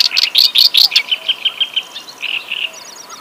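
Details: Javan kerak basi (reed warbler) in full song. Loud, harsh, buzzy phrases come first, then a run of softer evenly spaced chirps about five per second, ending in faint high twitters.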